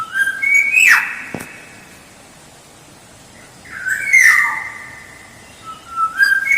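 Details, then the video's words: Black-naped oriole song used as a lure: two loud fluty whistled phrases about three seconds apart, each sliding up then dropping sharply with a sweeping note, separated by quiet background hiss. "Suara Pancingan Kepodang Emas Gacor"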